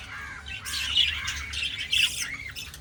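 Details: Breeding budgerigars, 2026: two loud, grating squawks about one second apart over softer warbled chatter.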